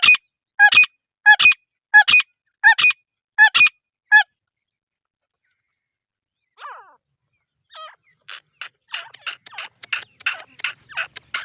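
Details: Female grey francolin giving six loud, nasal, harsh double-note calls in quick succession over about four seconds. After a pause come fainter, softer, scattered calls that grow denser and more rapid toward the end.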